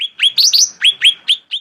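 Blue-winged Leafbird giving a quick run of high, clear upslurred chirps and whistles, about six notes in under two seconds.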